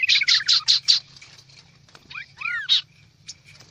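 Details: Kaso-kaso bird lure call: a quick, busy run of high chirps, about five a second, then scattered slurred whistles rising and falling, over a low steady hum.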